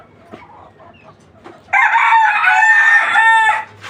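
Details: Rooster among native desi chickens kept on a farm, crowing once in a loud, harmonic-rich, sustained cock-a-doodle-doo lasting nearly two seconds, preceded by soft scattered clucks and farm background noise.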